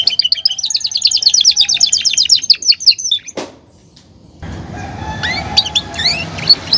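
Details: Belgian canary, a caged male, singing to court a female and assert dominance: a fast rippling trill of repeated notes for three seconds, then a bump, silence and background noise with faint chirps.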